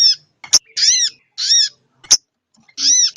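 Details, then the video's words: Female sogon ontong calling the male, from a lure recording. Three broad, nasal, arching notes about half a second apart, with two loud clicks between them. "suara pikat sogon ontong betina memanggil sang jantan"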